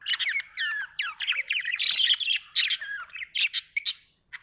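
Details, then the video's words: Budgie chattering in quick succession, a run of whistled notes curving up and down mixed with harsh buzzy squawks, pausing briefly near the end. "budgie chirping sound"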